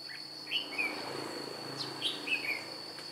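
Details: Red-whiskered bulbul used as a white-cheeked decoy to trap wild birds, flicking its wings and tail like an adult bird, recorded 2 July 2018: two short bright whistled phrases with a quick rising-falling lilt, over a steady high-pitched insect whine.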